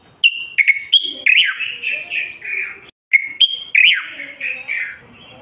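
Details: Continuous song of a Moroccan common bulbul, used to encourage silent males to sing and get females ready to breed and build nests. Clear whistled notes, then a run of falling, warbled slurs. The phrase comes twice with a brief gap between.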